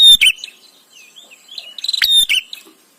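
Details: Bar-winged prinia recorded for training white-rumped shama: a sharp chirp opens, then soft slurred twitters and a quick stammering series of high notes that peaks in a shrill whistle and ends with buzzy chips.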